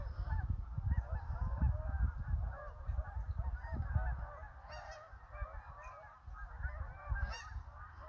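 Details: Hundreds of Canada geese calling together: a dense, continuous chorus of overlapping nasal honks, with heavy low rumbling noise underneath.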